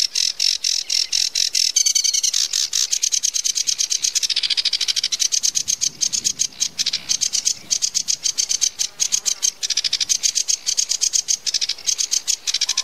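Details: Sedge warbler singing in a dense, fast chatter of clicking and buzzing notes that runs for nearly thirteen seconds with brief changes of pace. The song is high and continuous.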